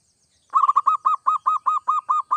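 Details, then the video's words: Zebra dove, local or Bangkok perkutut, singing gacor to spur other doves: a quick stutter of coos, then about ten round, hollow notes repeated evenly about every fifth of a second. "Suara perkutut gacor seperti ini AMPUH bikin perkutut anda cepat bunyi"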